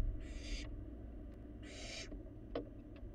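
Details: Barn owl fledgling eating inside an empty nest box on a live camera in Florida; two harsh, broad hissing bursts about a second and a half apart over a steady low hum.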